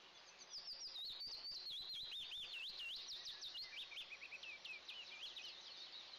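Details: Two Eastern imperial eagle eaglets in a camera-monitored nest, calling at their first feeding of the day on June 29, 2024: a continuous stream of high, thin, wavering squeals and chirps rising and falling, quiet, with faint background hiss.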